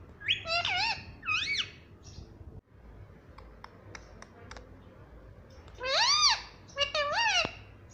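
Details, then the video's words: Pet parrot mimicking "mummy" and "papa": quick paired arched syllables at the start, a quiet stretch with scattered clicks, then another burst of rising-and-falling voice-like calls. "मम्मी कहा हो || मम्मी पापा बोलता तोता || बातूनी तोता || parrot talking everything"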